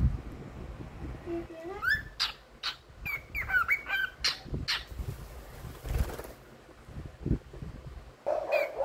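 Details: Pet cockatiel singing the tune "If You're Happy and You Know It": a short rising run of whistled notes, then a string of brief clear whistles mixed with clicks and rustling, against steady background noise.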